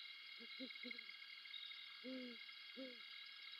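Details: A female and male Great Horned Owl call back and forth on a branch before mating, 7 December 2021 at 3:55am, near Savannah: three quick deep hoots, then two longer slightly falling hoots under a second apart, over insect hum.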